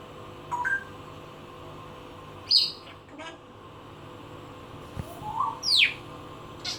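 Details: Adopted, feather-plucked pet parrot going through her range of sounds indoors: short whistled chirps, a brief rising squeak, then a sharp upward-sweeping whistle, with quiet pauses between calls and faint room noise.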